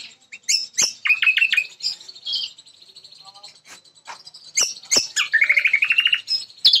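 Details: Jambu bird from West Nusa Tenggara, a contest winner, delivers quick stuttering high notes and a rattling rising trill, broken by sharp clicks and a sustained high background whine.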